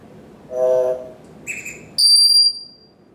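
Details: Pet parrot on its kitchen stand during its morning routine makes electronic-sounding beeps: a low buzzy tone, a short higher beep, then a long pure high beep.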